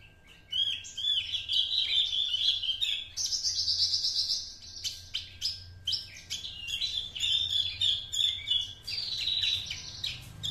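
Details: Young Javan Horsfield's bush lark, two months old, singing copied master material learned from an adult bush lark. A busy, nearly continuous stream of high chattering notes, sweeping whistles and rapid buzzy trills, changing pattern every second or two.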